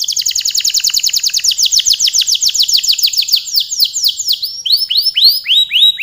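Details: Energetic canary song, delivered as a long continuous run: rapid downward-sweeping whistled notes at about three per second, shifting midway into slower, higher swooping phrases, bright and loud with nothing else heard.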